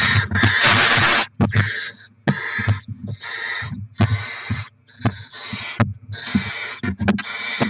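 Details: Barn owl nest during rodent deliveries and chick feeding, 7 February 2024: a loud, near-continuous string of rasping hisses in quick succession, mixed with dull thumps and low rumbling from movement in the nest.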